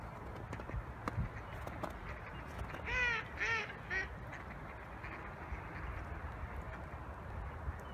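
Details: Goose said to be barking: three short, harsh, nasal honks in quick succession near the middle, each with a rise and fall in pitch, over a steady low rumble and a few faint clicks.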